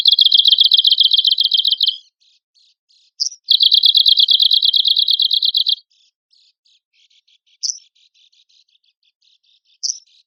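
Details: Arctic warbler singing, recorded as a master for bird-song contests: two long, rapid, dry trills of evenly repeated high notes, each about two seconds, separated by a sharp chirp, then faint ticking notes broken by occasional bright single chirps.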